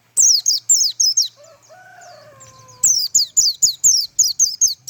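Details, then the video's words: Rapid 'tembakan' song of a pleci white-eye: high descending chirps in quick succession, interrupted midway by lower drawn-out whistled tones, then another energetic string of about ten sharp downslurred notes. "tembakan burung pleci mantap abis"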